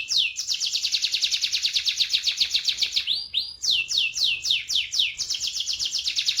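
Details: Canary song used as a lure to get silent canaries singing: a long, loud, high rolling trill of rapid repeated notes, about four per second in bursts, with a brief rising whistle near the middle before the rolling resumes.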